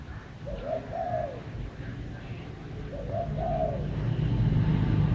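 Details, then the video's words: Outdoor recording of a bird giving gentle two-part coos, a brief note followed by a longer trembling one, repeated twice. Heavy low-pitched background noise grows louder toward the end. "Chim hót hay"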